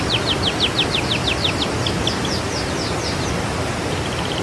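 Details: Bird song recorded as a training track for birds in moult and after moult: a rapid run of sharp, descending high chirps, about three per second, fading into softer, sparser notes over steady background noise.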